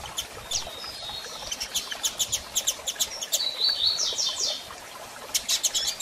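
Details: Female double-collared seedeater calling while soliciting mating: rapid high chirps and short notes in bursts, with a brief whistled phrase near the middle and a sharp chirp series near the end.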